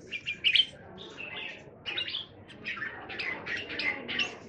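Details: Red-whiskered bulbuls from a group of kept birds in Thailand, recorded 27 January 2021, give softer, somewhat distant bubbling chirps and short warbled phrases, loosely spaced.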